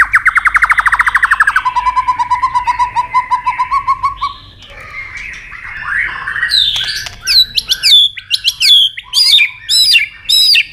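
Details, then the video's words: White-rumped shama in training with a long varied song: a fast buzzy trill, then a steady lower repeated note, a rising warble, and finally sharp whistled notes repeated in quick bursts. "chòe lửa kéo dây đảo nhiều giọng rừng"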